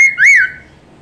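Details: A single loud whistled note from a Chinese hwamei master song, rising and then falling smoothly, with a brief sharp note before it, then quiet.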